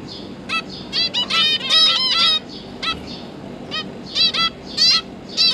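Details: Zebra finches, two parents with three newly fledged juveniles, recorded 31 October 2022 while the parents feed the young; bursts of nasal, harmonic-rich calls, some in quick clusters, others spaced about half a second apart, over a low steady hum.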